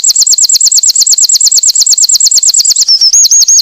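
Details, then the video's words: Winter wren sings a rapid, high-pitched run of about six ringing notes per second, then breaks into a short, thin trill, with no other sounds heard. "burung winter wren gacor"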